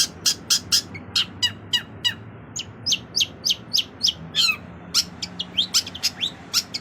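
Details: Long-tailed shrike, a songbird favored by bird-song hobbyists, singing a rich varied song: a steady run of sharp, high chirps and short descending notes, about two or three per second, over a low background hum.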